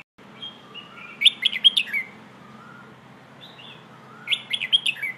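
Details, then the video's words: Red-whiskered bulbul singing the Pleng Ho song style, played for teaching young birds to sing: two bright rapid bursts of five or six liquid whistled notes about three seconds apart, each led in by soft slurred whistles. "เพลงโห่ เสียงฝึกร้องนกกรงหัวจุก"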